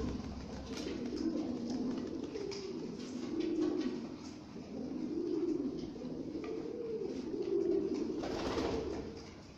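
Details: A Lahore pigeon gives low, throaty coos in rolling phrases that swell and fade every couple of seconds.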